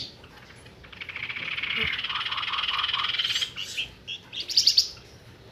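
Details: Flamboyan bird used as a trapping lure: a sustained rattling buzzy trill with soft low whistled notes, followed by a few short chattering notes.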